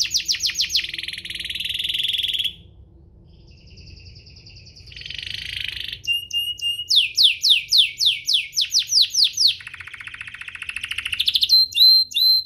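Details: Canary singing to spur other canaries: buzzy trill, a quiet pause, a softer rattle, then bright repeated downslurs, clipped whistles and another rattling trill at the end.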